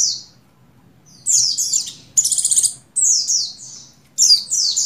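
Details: High, buzzy, falling phrases from a female buxtoni Oriental white-eye in breeding condition calling a male, including a pulsed rattling trill mid-sequence, delivered in bursts separated by brief pauses; faint low hum behind.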